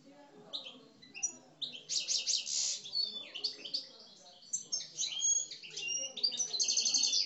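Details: Caged Algerian European goldfinches of the parva form, described as aggressive singers, deliver a fast, high twittering song of buzzy trills and bright chirps at a rapid rate, with faint background noise.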